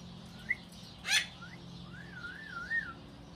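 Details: A rescued African grey parrot at a parrot sanctuary, newest member of the flock; a short chirp, a loud harsh squawk, then a wavering whistled phrase that rises and falls several times, over faint background hum.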